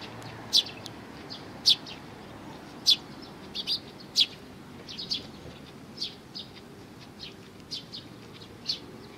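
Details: Sparrows at a Tenmangu shrine on 22 May 2019 repeat crisp high chirps roughly once a second, the loudest early on, with quieter chirps trailing off over a faint background rumble.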